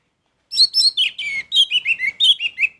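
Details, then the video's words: Lively song of an orange-headed thrush: a quick sequence of about a dozen sharp, slurred whistles and chirps, each phrase dropping slightly in pitch, sung in full voice. "Anis merah gacor"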